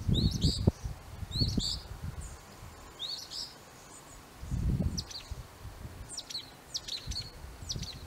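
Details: Northern mockingbird singing in an apple tree, giving very high, thin chirps and doubled notes in short bursts, followed by quick clicking notes. Soft background hiss with bursts of low rumbling.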